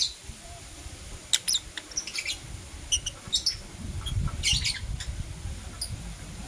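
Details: Morning lovebirds, Blue Opaline and Parblue Euwing Opaline, give short, sharp high chirps in loose series, accompanied by a persistent low rumbling background.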